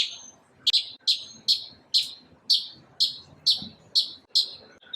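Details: One bird in the morning giving sharp, high chirps spaced about half a second apart, each a quick bright note fading out, over faint low background noise.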